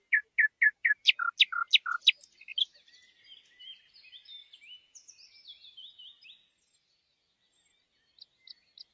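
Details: Bird singing in the wild: a run of loud, evenly spaced chips and sharp downslurred notes, then a softer rambling twitter, with a few faint high notes at the end.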